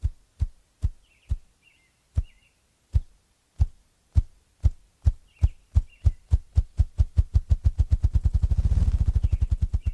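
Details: A Ruffed Grouse, fairly common in the Northeast, gives its acoustic display, drumming: deep, muffled low-pitched thumps that start slow and speed up into a low whirring roll.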